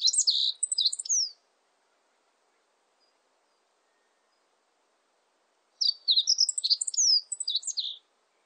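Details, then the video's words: Meadow bunting singing two phrases about four and a half seconds apart. Each phrase is a hurried string of high, clipped chirps ending in downslurred notes, lasting one and a half to two seconds, with silence between. "멧새, 1번 듣기"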